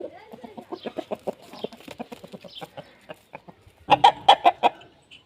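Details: Aseel rooster singing for a hen: a run of rapid, short, low clucks, about two or three a second and uneven, ending in a burst of four or five louder, sharper clucks.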